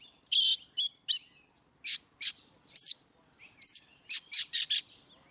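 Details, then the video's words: Oriental magpie-robin in ngeplong style, played to get birds that seldom sing to respond: a string of loud rasping bursts broken by a few sharp twisting whistles, ending in a rapid run of four harsh notes. "Kacer ngeplong"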